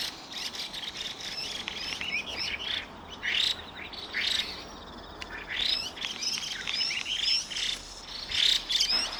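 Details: Chinese hwamei, a pair calling at dusk with both harsh and high piping calls; loud bursts of mixed whistles and rasping notes come in clusters every second or two, separated by brief quieter gaps.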